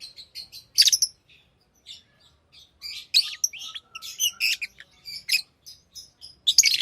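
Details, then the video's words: Pet lovebirds in continuous high, shrill chirping and twittering, with overlapping bursts and a few louder squeaky notes. "Love birds Sounds | lovebirds chirping sounds"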